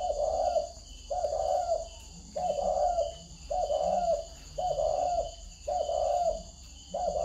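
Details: Spotted dove giving a run of low, hollow coos in regular phrases roughly every second, over a faint constant high-pitched hum.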